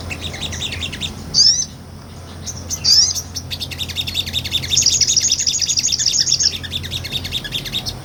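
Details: Sunbird, a small nectar-eating bird, in ngobra song recorded to train other songbirds: high jumbled twitters, two sharp rising whistles, then a sustained rapid shrill trill of repeated notes.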